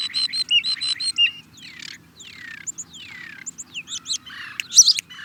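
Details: Rapid rattling notes open this European starling song, followed by a series of downslurred whistles and squeaky chirps, ending in harsh mixed chatter.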